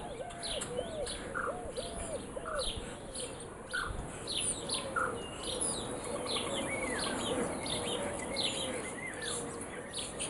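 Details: Morning chorus of birds: bright chirps and rising whistled notes from several singers, with a lower arched note repeated at first, then a steady low hum underneath.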